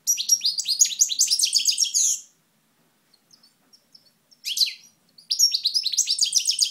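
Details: European goldfinch, Moknine, 2012: loud, clean, rapid twittering of repeated high upslurred notes for two seconds, a silent gap with tiny clicks, then a short burst and another long run of bright trills.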